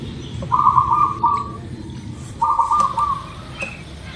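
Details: Local zebra dove (perkutut lokal) used as a lure to get birds singing quickly: two mellow, stuttering coo phrases, each about a second long and roughly two seconds apart, over steady low background hiss.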